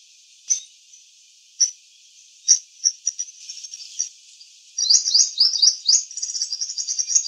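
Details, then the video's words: In a garden, a purple sunbird in eclipse plumage gives scattered single high chips, then breaks into a fast run of sharp rising squeaks and shrill twittering. "Purple sunbird in eclipse plumage singing different songs"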